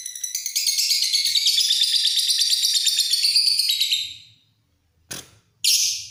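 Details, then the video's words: Lovebird with long ngekek chatter: a sustained run of rapid, high, buzzy trilled notes for four seconds, fading to silence, then a short noisy burst and another high chatter burst. "Love bird ngekek panjang"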